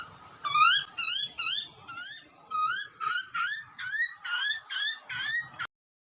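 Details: Wild butcherbird chick in Australia screaming for food while parents feed it: a quick series of about eleven harsh, rising, strongly harmonic squeals, each under half a second, repeated roughly twice per second, ending abruptly.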